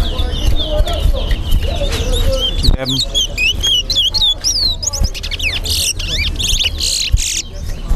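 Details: Caged Chestnut-bellied Seed-Finch (towa towa) singing at a bird whistling competition in Linden: quick high whistled slurs and trills rising and falling, over a low crowd rumble with voices and hum.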